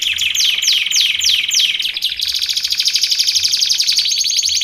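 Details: Canary song used for training and luring canaries: rapid repeated descending sweeps about four per second, then a fast buzzy trill of dense high notes, continuous and loud.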